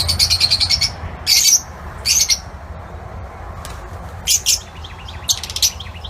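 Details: Lutino Fischer's lovebirds kept in an outdoor aviary: short bursts of shrill, high chattering notes, each about a third of a second, spaced by gaps of nearly a second, over a low steady hum.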